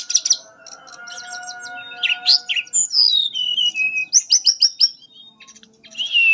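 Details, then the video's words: Mangrove blue flycatcher delivering a melodious nyuling, or fluting, song. Dense high chirps lead to looping whistles, a long descending slur and a quick run of repeated rising notes, ending on a sliding whistle against steady low tones. "Burung tledekan nyuling merdu"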